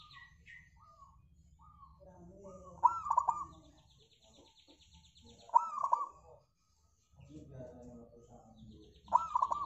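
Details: Local zebra dove singing as a lure for other birds, three bursts of rolling coos spaced about three seconds apart, with short thin whistles and faint chirping from other birds early on.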